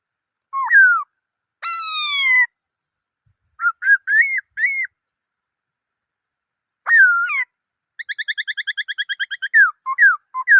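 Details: Black-throated laughingthrush singing varied phrases: hooked falling whistles, a long harmonic whistle, short rising notes, and a rapid rattle-like series of clipped notes near the end.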